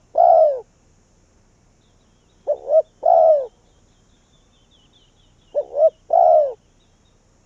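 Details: Vietnamese spotted dove used as a decoy bird for wild doves, opening with a lone long falling coo, then two phrases of quick paired notes each ending in a sustained low coo, silence between.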